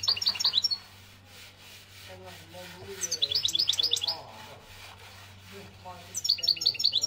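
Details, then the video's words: Algerian European goldfinch giving repeated bursts of high, quick twittering, with softer lower chattering notes and rubbing noises between phrases and a steady low hum. "من هذا التغريد الحسون"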